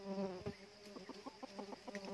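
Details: Red junglefowl, decoy rooster set out to trap wild birds at a second trap site, out of season: a low harmonic call, then a run of short pulsed clucks about every 0.15 seconds over a steady insect hum.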